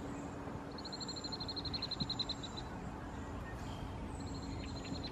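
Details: Juvenile European Starlings in the Squamish River estuary, British Columbia, give a fast, high, even series of about fifteen sharp ticking notes, then start again, over a steady low traffic-like rumble and hum.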